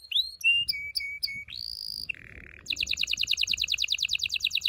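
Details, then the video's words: Strong canary song for stimulating mating: rising and level whistled notes, a sustained high whistle, a low buzzy note, then a long rapid trill of repeated syllables. "غناء طائر الكناري لتحفيز و تحضير الاناث و الذكور للتزاوج و تغريد المستمر"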